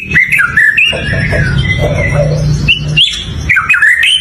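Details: White-rumped shama singing short, clear, looping whistled phrases and chirps, with a gap between bursts and a low steady hum behind.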